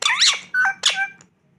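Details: Indian ringneck parakeet kept as a pet: a harsh rising screech, then a short flat whistled note, then another rough screech fading out.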